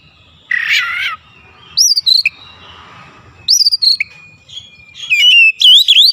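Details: A rough, buzzy note is followed by scattered high whistles that rise and drop. The clip ends in a fast run of clear whistled notes.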